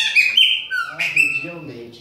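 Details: Captive chopi blackbird, one of a mating pair in which the male keeps hitting the female. Strong whistled phrases with sliding, slurred notes and a rising then falling contour, with a man talking faintly underneath.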